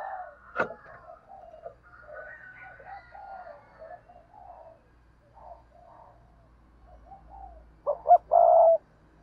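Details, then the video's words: A low chorus of soft, distant coos gives way near the end to one close spotted dove phrase: two short notes and a long, level coo. A sharp knock is heard early on. "cu gáy"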